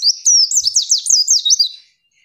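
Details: Female white-eye voice used to rile a rival: a brisk string of about seven bright, high, zigzag slurred notes over one and a half seconds, then quiet.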